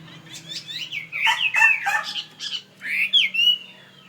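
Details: Tame fighting-type Chinese hwamei of Northwest Vietnam origin, kept in Saigon, delivering a loud, varied run of whistled and slurred phrases, rising and falling, in bursts with short pauses; a low steady hum underneath.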